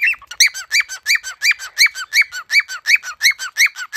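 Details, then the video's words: Pet cockatiel, one bird teaching another to sing and talk: a steady run of clear, rising-falling whistled notes, each followed by a lower short tone, repeated almost three times a second in an even rhythm. "Chili teaches Snowflake to sing and talk."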